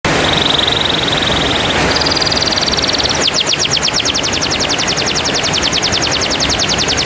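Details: Canary song used to prompt a silent canary into singing: a steady high trill, then a higher sustained roll, then a fast, sharply pulsed chopping trill running to the end, over constant loud hiss.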